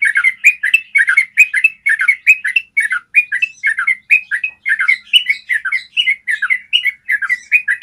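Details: Yellow-vented bulbul giving a long, clear trill for training other birds to sing: continuous chains of short bubbly, warbled notes, several per second, with a bright thin overtone above. No other sounds.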